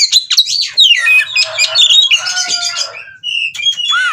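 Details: Breeding-condition oriental magpie-robin doing ngobra display at a breeding farm in Cirebon, Indonesia. Descending whistled slurs, a stretch of rough chatter, then a steady held whistle and a final rising note.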